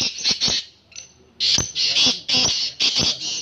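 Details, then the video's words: Black francolin in a calling contest: loud, harsh, grating bursts, each under half a second, delivered in quick rhythmic series with brief gaps between them. "Kala teetar awaz muqabla"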